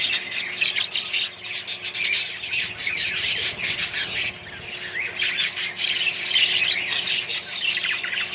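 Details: Constant overlapping squawks and chirps from a colony of Australian budgies living alongside other parrots, loud and busy, swelling and easing slightly over several seconds.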